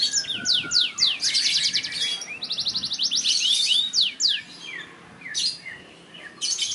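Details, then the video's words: Black-throated canary in South Kalimantan, Indonesia, in vigorous song: loud, high, rapidly repeated sweeping whistles and dense trills, broken by short pauses, then renewed bursts of chirping. "Blacken Gacor"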